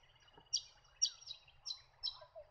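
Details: White-eared Monarch giving four sharp, high, slightly descending chip notes about half a second apart, with softer lower twitters between them against a quiet natural background.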